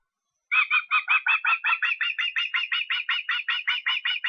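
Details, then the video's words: After a short silence an osprey bursts into a long chain of roughly twenty sharp whistled yelps, rapid and regular, recorded in Estonia on 23 August. "Fischadler Estland 23.08."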